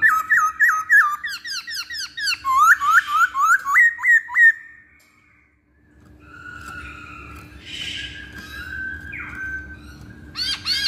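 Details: Masked laughingthrush used as a lure to make other birds sing: a loud series of rapid, upward-sweeping whistled notes for about four seconds, then quieter, fainter phrases over low background hum.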